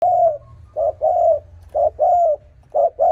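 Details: Spotted dove recording used as a lure call: low, mellow coos in short-then-long pairs, about one pair each second, with a faint low hum underneath.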